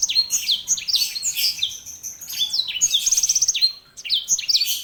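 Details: Sanger canary hybrid in continuous energetic song of tumbling high chirps, slurred sweeps and short rattling trills with barely a break.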